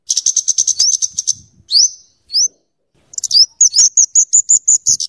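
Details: Kemade, the scarlet-headed flowerpecker, giving rapid high chatter with tight fast ticking, known as crecetan and tembakan, used to tutor birds; rising swept notes break up the even bursts of clicks.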